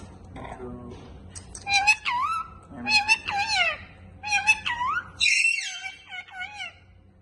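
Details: Pet parrot talking indoors: several bursts of harmonic, speech-like chatter with sweeping falling and rising tones, each burst about half a second long, separated by short pauses, ending in a higher, brighter squawk-like phrase.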